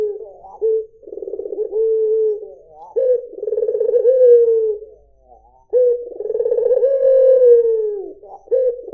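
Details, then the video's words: Barbary dove, white form, cooing somewhat unevenly: rolled, pulsing low coos of varied length with smooth falling endings and a few brief gaps. "SUARA PUTER PUTIH"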